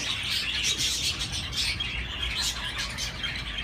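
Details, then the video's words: Chirping budgerigars, a busy overlapping chatter of high twittering notes and quick squeaky chirps, continuous throughout, with a faint low rumble underneath. "تغريد طيور الحب البادجي"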